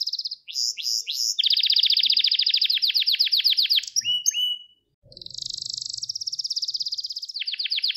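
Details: Gloster canary training song for stimulating males: swept notes leading into a long rapid rattling trill, short whistles, a brief gap, then a high buzzy trill and more descending sweeps.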